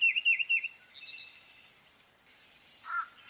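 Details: Tufted titmouse: a quick run of four clear whistled, wavering notes, then fainter high calls and a lower note near the end over soft background noise.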